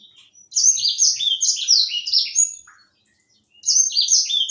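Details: Young white-rumped seedeater in active song, prized for its distinctive melodious voice. Two long runs of fast, high, down-slurred chirps and trills, separated by a short pause, with a clean, quiet background.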